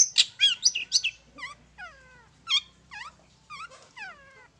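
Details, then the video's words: Long-tailed shrike song used as a lure to provoke birds to sing. Harsh, fast chatter for about a second, then a series of softer, descending slurred whistles repeated at intervals of under a second. "PANCINGAN TERBAIK!!! CENDET MAIN SATU TITIK"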